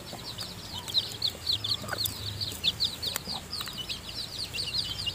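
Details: A brood of newly hatched chicken chicks inside the hen's nest during feeding gives loud, continuous high peeping. The chirps come fast and overlapping, with occasional clicks and knocks underneath.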